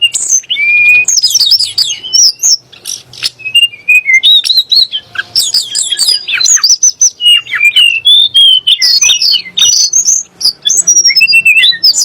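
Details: A long, unbroken Sunda blue robin song meant to provoke magpie-robins and shamas; tumbling high whistles, chirps and slurred notes follow one another densely, rising and falling with scarcely a gap.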